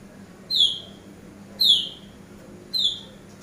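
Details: Eurasian tree sparrow, known locally as burung gereja, used as a master bird for training: three sharp, high, downward-slurred chirps spaced about a second apart over a low steady background hum.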